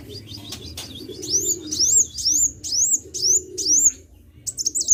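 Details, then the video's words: Sunbird singing energetically (gacor), delivering regular loud high notes that rise steeply then curl down, roughly two per second, ending in quicker chips; low murmuring hum behind. "KICAU BURUNG KOLIBRI GACOR"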